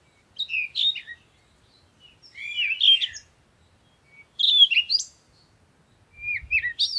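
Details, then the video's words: Birds chirping at sunrise in the morning: four separate bursts of high, sweet twittering with fast up-and-down notes, spaced about two seconds apart, in quiet surroundings. "Morning Sunrise and Birds sound"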